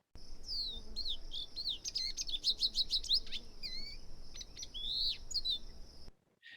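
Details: Lesser goldfinch (Spinus psaltria) song: a rapid, rambling jumble of high twitters, slurred whistles and buzzy notes, packed with precise imitations of other birds' calls, over a faint low hum.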